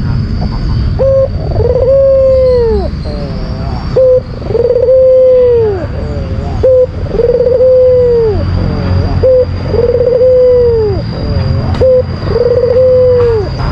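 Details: Albino white Barbary dove giving a lure call meant to provoke a rival: five low coos, each a short note, a rolling stutter, then a long drawn note sliding down at the end, repeated about every two and a half seconds over a steady high whine.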